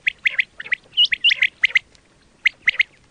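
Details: Quail sound for hunting, with irregular clusters of harsh squawky notes and a few thin high whistles, then a pause and a final burst of three chirps.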